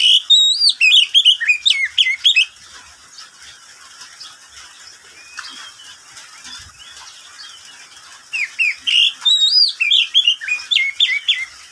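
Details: Oriental magpie-robin kept as a pet, singing at midday: a quick sequence of varied whistled and warbled phrases for about two seconds, several seconds of quiet, then another lively run of slurred high notes.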